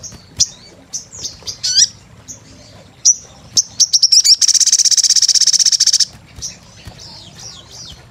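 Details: Sunbird chattering as a 'gacor' lure sound: scattered high sharp chirps and down-slurred notes, then a loud, fast buzzing trill for nearly two seconds, followed by softer high twitters.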